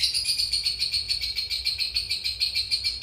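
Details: Cobalt mangsi lovebird delivering long ngekek chatter for tutoring other birds: quick pulsing high trill at a steady pitch, rhythmic and unbroken across the whole stretch.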